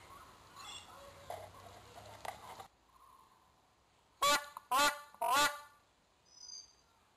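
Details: Magpie goose (Anseranas semipalmata) giving three loud, resonant honks in quick succession, about half a second apart, after a stretch of low background murmur.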